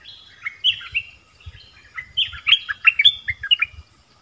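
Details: Loud, clear song of a nok dok taeng dueling with wild birds in the 'double song' style, Thailand: chains of slurred whistles that climb and fall, delivered in a lively continuous stream.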